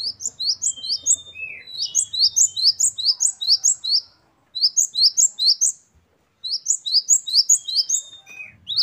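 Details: Great tit, locally gelatik batu, pours out quick runs of piercing, high, upslurred notes in groups, each group ended by a short pause. Faint low humming is heard at the start.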